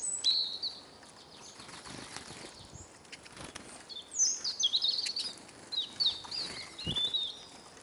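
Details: Flock of hungry Eurasian siskins (Carduelis spinus) at a Kolmården, Sweden bird feeder, recorded from the ground below. Quiet flutters give way to a lively run of high, wavering twittering notes in the second half.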